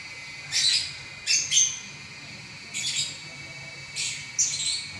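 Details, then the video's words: Champion lovebird singing continuously, described as nonstop for eleven minutes: short, high, raspy chirps in clusters of one or two, separated by brief pauses, with a faint steady tonal hum in the background. "Burung LoveBird Juara Nya Ngacor 11 Menit Enggak Berhenti"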